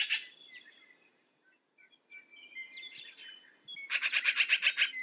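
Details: Black-billed magpie calling, with scattered thin whistled notes and squeaks followed by a loud harsh rattling chatter of about eight rapid pulses near the end.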